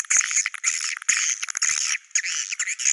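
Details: Swiftlet calls in the "Goa China" style: dense, high, buzzy chirping with short bright notes, nearly continuous across three seconds with a few brief gaps; no low sounds.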